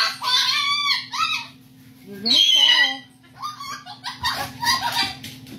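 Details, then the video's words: Pet cockatoo arguing with its owner indoors: loud, harsh squawking bursts and screechy rising and falling calls, several in quick succession with short pauses, over a steady low hum. "Funny Cockatoo Argues with Owner!"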